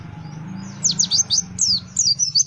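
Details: Pleci bird, a white-eye, giving a quick series of sharp, high, downslurred whistled chirps in close succession, with a low hum underneath.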